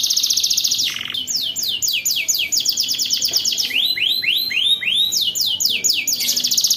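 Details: Teaching song of a canary for young learners: a rapid high trill with a low buzzy drop, chains of quick downward sweeps, a few slower rising-falling whistles, then another fast rolling trill.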